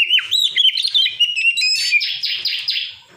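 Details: Song of an old white-breasted Oriental magpie-robin: sweet slurred whistles running into a sequence of four harsh, buzzy downslurred notes, each roughly a quarter-second apart.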